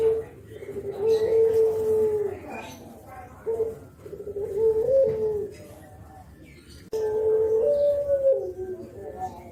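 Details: Spotted dove, nodding while giving its 'kuk geruk' call, used as a lure for other spotted doves; three low, mellow cooing phrases, each a short note followed by a longer rolling coo with a slight lift near the end, spaced a few seconds apart.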